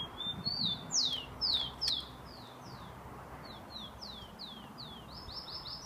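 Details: Kept rufous-collared sparrow (tico-tico) from São Paulo, filmed 27 September 2015, singing a lot: a series of high, clear downslurred whistles, each sliding quickly downward, repeated more than twice a second over a soft background hiss.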